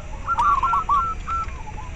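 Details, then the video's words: Local zebra dove (perkutut lokal) calling, played to stimulate breeding drive and singing in captive doves and to lure birds; short clear cooing notes in a quick staccato run, then a brief pause and a softer second phrase over a low background hum. "Perkutut lokal suara ampuh untuk merangsang terapi masteran dan ahli pikat"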